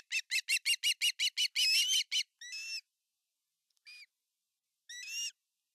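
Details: Osprey father at his nest in Finland with a giant fish, August 2020; a rapid even series of short piping notes, then a few separate, slower whistled calls with pauses.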